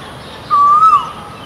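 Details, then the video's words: A male Asian koel calls from a tree in Bishan-Ang Mo Kio Park, Singapore, giving a single clear whistled note lasting half a second that rises slightly and dips at the end, over faint background hiss. "Calls of a male Asian Koel"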